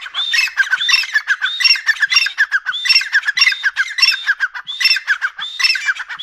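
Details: A pair of grey francolins, described as dakhni Irani tetar, calling together: harsh, squawky, ringing phrases overlapping in quick succession, repeated roughly once a second without pause through the whole stretch.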